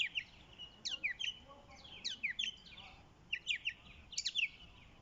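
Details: Bird song made of rapid groups of bright, high, sliding chirps, four clusters spaced about a second apart, each of three to five quick notes, over a quiet hissing background.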